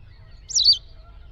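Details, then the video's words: Single White wagtail call from a wild bird: one short high chirp, a quick wavering slurred note lasting a fraction of a second, over faint low background noise. "White Wagtail Sound – Song & Bird Calls"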